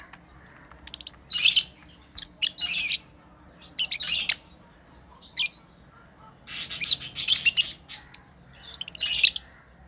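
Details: Pet lovebirds playing, giving sharp high chirps and squawks in uneven bursts, some short and clipped, others longer and buzzy, with quiet gaps between; faint low room hum underneath.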